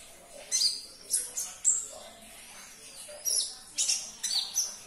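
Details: Caged sunbird (konin) song played to trigger another bird's singing: quick, thin, high chirps and squeaky whistled notes in uneven bursts, pausing briefly midway before resuming.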